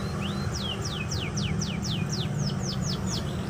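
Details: Canary singing on 28 November 2023: a rapid series of clear, falling whistled sweeps, about four per second, over a steady low rumbling hum throughout.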